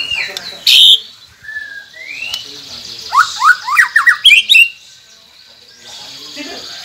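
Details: Shama song used to prompt silent captive birds: a sharp high burst, a rising slurred whistle, then a quick run of about eight steep upward sweeps, and a faint hiss at the end.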